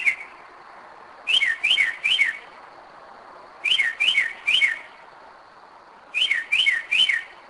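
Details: Northern mockingbird at night, 2am, Kennesaw, Georgia, at a spot it revisits yearly: three-note phrases of sharp downslurred whistles, each set repeated after a pause of about two seconds.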